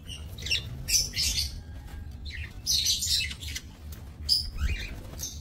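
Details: Budgerigars in a small breeding aviary, recorded 28 November 2024; irregular bursts of high chirps and scratchy chatter, roughly forty a minute, with a few sharp whistled notes over low background rumble.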